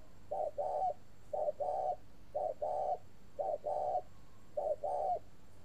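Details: Red-legged spotted dove at a dove farm near Hanoi, Vietnam, keeping up a long cooing series: five even phrases of low mellow coos, each a brief note followed by a longer one, a speaker talking afterwards.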